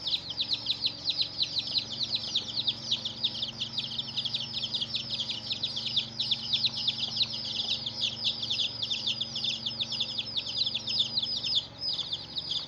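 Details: Many young domestic chickens keep up a steady flock peeping. Thin, high chirps each drop quickly in pitch and crowd closely together throughout, over a quiet low background hum.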